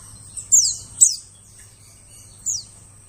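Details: Lure recording of a white-eye: three sharp, very high descending chirps, two close together then one after a pause, above a constant low hum.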